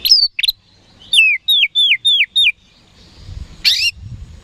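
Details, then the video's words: Oriental magpie-robin, called kacer, singing to goad rival birds into replying: two quick upward notes, then five loud falling whistles in rapid succession, a pause, and a final harsh burst with low rumbling behind. "PANCINGAN KACER HARIAN 🔥 Super GACOR Ampuh Bikin Lawan Cepat Respon"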